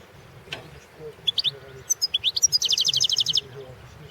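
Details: European goldfinch entered in a world singing championship, giving a few scattered high chirps building into a fast, even trill of bright twittering notes, then falling quiet over low background hum.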